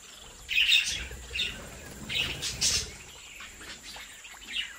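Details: Budgerigars from a home breeding colony giving a few loud bright chirps and a warbling squeak, then softer twitters, with a faint steady hum.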